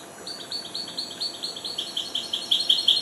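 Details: Young goldfinch hybrid, four months old, in early song: a steady run of short, high chirped notes repeated quickly, growing louder toward the end, over a soft background hiss.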